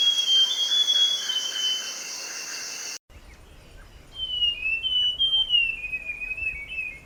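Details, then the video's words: Forest scrub robin (Cercotrichas leucosticta) singing: a high whistled phrase against buzzing insects, a short silence, then a clearer drawn-out whistle that wavers up and down with a slight dip at the end. "Rouxinol da Floresta - Ouça seu lindo e misterioso canto"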